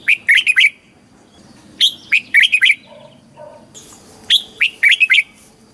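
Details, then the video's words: Red-whiskered bulbul kept caged in Thailand, southern master song played to make birds lively and teach chicks; fast clusters of bright whistles, three phrases, with soft lower chirps and a short hiss between them. "เสียงนกกรงหัวจุก สำหรับต่อ หรือ เปิดให้นกคึก"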